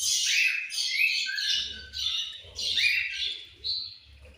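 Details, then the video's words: Budgerigars at food time: continuous lively chirping and warbling, with upward-sweeping whistles and buzzy chatter from several birds, over a faint low hum. "Budgies Chirping Sounds"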